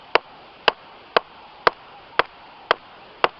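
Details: A Bearded Woodpecker makes its morning territorial tap on a hollow tree on a South African bush walk at sunrise, 25 October 2015: seven loud, sharp knocks in just over three seconds at a steady pace over a faint hum.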